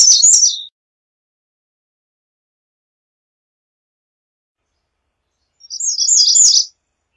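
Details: American redstart singing: a high, thin phrase of quickly repeated sibilant notes, with the end of an earlier phrase at the start and a long silent gap between.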